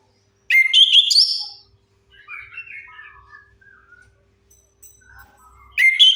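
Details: A chestnut-capped thrush sings for a lure meant to coax silent birds: a powerful burst of varied whistles, then a long stretch of soft chattering warbles, and a second loud burst at the close.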